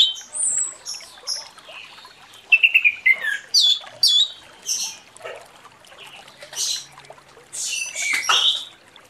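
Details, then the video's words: Morning ngeplong song of an Orange-headed thrush: a lively medley of high whistles, quick trilled notes and rough buzzy bursts. The phrases vary and come in clusters separated by brief gaps, with little background noise. "Anis Merah Ngeplong pagi"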